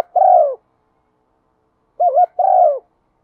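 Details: Caged decoy spotted dove calling in the one-ending thúc style. A drawn-out falling coo is followed, after a pause of about 1.5 seconds, by a full phrase: a wavering double note, then a long descending coo.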